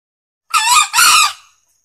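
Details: Male green junglefowl crow, a loud recording used as a lure to call in junglefowl; one harsh two-part crow of about one second, two rasping bursts split by a brief dip, in silence.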